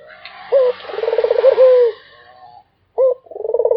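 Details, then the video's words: Barbary dove in continuous cooing: a clipped opening note, a vibrating rolling coo and a sustained descending note, then a pause before another phrase begins. Faint background hiss. "SUARA ANGGUNGAN BURUNG PUTER !! GACOR TIADA HENTI ll SUARA BURUNG PUTER MERDU"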